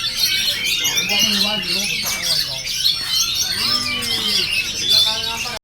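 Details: Oriental magpie-robin (kacer) singing: a dense, continuous stream of high, fast-changing whistles, trills and chattering notes with no real pauses, plus faint lower voices underneath.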